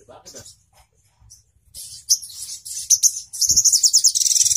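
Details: Sogon, the crimson sunbird, in master-audio song for teaching songbirds in Indonesia: faint scattered notes build into sharp high chirps, ending in a quick, pulsing trill.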